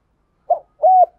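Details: Spotted dove used as a decoy to lure wild birds: one short note followed by a longer sustained arched coo, with another note starting as it ends.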